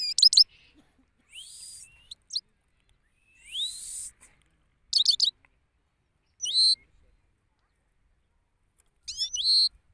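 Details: Male European goldfinch singing in an open place in Pakistan: short bursts of high, tinkling, twittering notes and buzzy rising phrases, separated by pauses of one to two seconds, with no other clear sounds.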